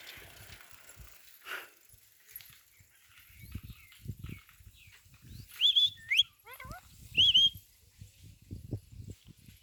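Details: Caged Indian green parrot in India, talking with its owner: bursts of whistled, twisting notes and short squeaks over steady background hiss and low murmuring human voices.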